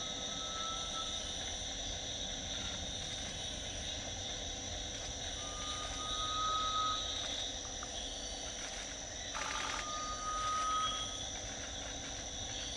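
A garnet pitta gives a long, even, mellow whistle of about a second, repeated every four to five seconds over a steady, high insect drone.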